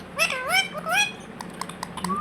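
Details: Indoor pet Indian ringneck parakeet that says "Hello" and "Mithu Mithu": two rich, wavering, voice-like syllables in quick succession, then scattered clicks and a faint rising whistle, with human voices close by.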